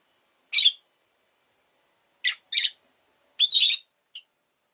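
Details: Rosy-faced lovebird chirping: short, harsh, buzzy squawks, a single one, then a quick pair, a longer grating burst and a tiny final chip, separated by clean silence.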